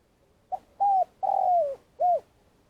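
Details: Lure spotted dove used for trapping in Vietnam, in long call. A soft pickup note is followed by a steady coo, an extended croo gliding downward and a last round coo, all clean against a still background.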